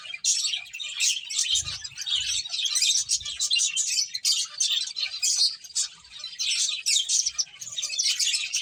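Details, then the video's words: Finches chirp as they play: rapid high twitters pour out continuously from several birds, with a few soft low thumps underneath. "Cute Birds Chirping Sounds | Beautiful Finches Playing"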